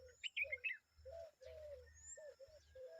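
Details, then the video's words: Common babbler adult with her young making noise: a few quick high chirps at the start, then a series of short, low, buzzy notes repeated in uneven bursts, with a faint steady high hiss behind. "The common babbler and her babies are making noise"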